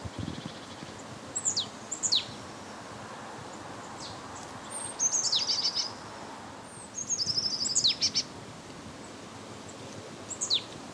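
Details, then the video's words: Marsh Tit heard on 8 February 2012 in Limousin, France, during a Russian cold wave. Steep high descending calls alternate with harsher, buzzy rattled series of quick notes, spaced irregularly over faint rural background noise. "MÉSANGE Nonnette/Hiver/Poecile palustris ! BRUITX"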